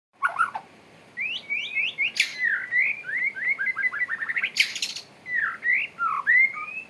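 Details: Male white-rumped shama courting, singing a varied run of sweeping whistled notes, upslurs and rapid trills, broken by two loud harsh bursts.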